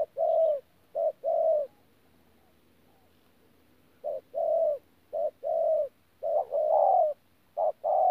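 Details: Spotted dove, a wild-caught bird, Tu Mơ Rông, 14 January 2019, delivering 'pha gù' coos: low, hollow short-then-long paired notes, a pause of about two and a half seconds, then several more pairs.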